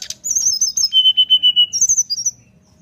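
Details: Brown-chested jungle flycatcher giving nyuling song, beak open, to draw other birds of its kind into singing; quick high chirps lead into a string of bright, slightly wavering whistles, a steady mid-pitched run, then higher warbled notes.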